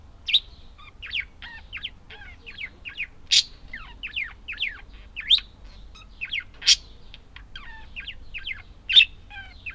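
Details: Budgies warble steadily in quick looping chirps, punctuated about every three seconds by a loud piercing squeak.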